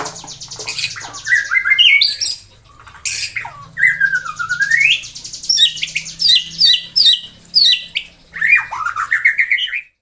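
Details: White-rumped shama morning song used to provoke rivals: harsh buzzy bursts, a long swooping whistle, and rapid chattering phrases with rising whistles, in loud bouts.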